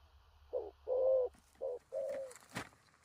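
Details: Spotted dove giving loud 'thổ rặc' coos: two pairs of a short hoot and a longer falling coo, followed by a burst of clattering, rustling noise near the end.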